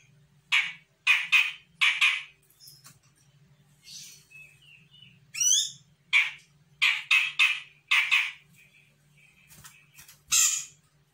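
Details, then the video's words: Grey-cheeked bulbul from Sumatra, a young bird reacting to a lure call. Loud, harsh, scratchy notes come singly and in quick clusters of two or three. They are broken by a few thin whistled and rising slurred notes over a faint low hum. "CUCAK JENGGOT SUMATRA GACOR - CJM BAKALAN AUTO NYAHUT"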